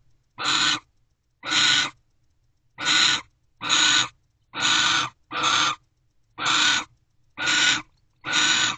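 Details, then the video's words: Nest-box owls mating before dawn in late December: a steady series of broad, hoarse screeching hisses, each under half a second, spaced roughly a second apart against a quiet background. "After They Return #AvaAndBeau Mate."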